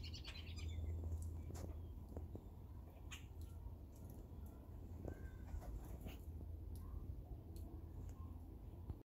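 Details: Grackles perched in a tree: a brief bright, chattering burst of squeaky notes at the start, then sparse faint clicks and chirps against a constant low-pitched background hum.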